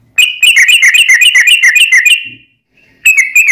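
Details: A yellow-vented bulbul pours out a fast run of bright, bubbling notes, about eight per second for two seconds, pauses briefly, then starts again, a long song used as a lure to make other bulbuls sing and answer.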